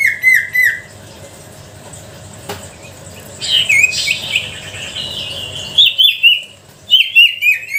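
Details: Sooty-headed bulbul song as a lure to stir quiet birds: brief whistled downslurs, a stretch of low background noise, then fresh bursts of ringing, falling notes.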